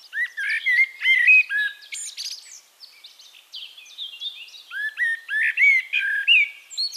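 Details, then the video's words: Singing Eurasian blackbird recorded at Castricum, Netherlands: two bursts of rich, flutey warbled phrases with rising and falling slurs and high scratchy ends, separated by a quieter stretch of distant twittering birds. "One Hour Relaxing Birdsong: Blackbird"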